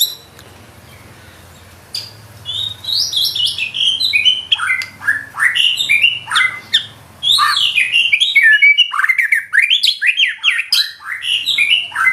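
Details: White-rumped shama in intense song with imitated filler: after a quiet start, a dense stream of sharp upslurred and downslurred whistles, chips and chatters that grows busier toward the end.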